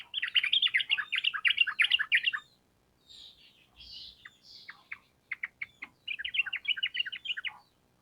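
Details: Long rapid 'ropel panjang' song of a sooty-headed bulbul. A fast bubbly run of over two seconds, a few soft whistles and sharp single notes, then another quick chattering phrase.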